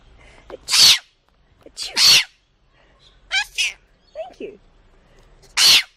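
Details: Pet parrot sneezing and then saying "bless you": loud hissing, sneeze-like bursts alternate with brief, rough, speech-like syllables, with quiet gaps between.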